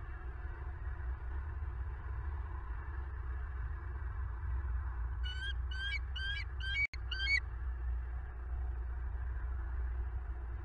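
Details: After a long stretch of low rumbling background, a bald eagle on a southwest Florida nest cam, late night of 25 November 2022, utters a quick run of about six high chirping notes, with a brief click.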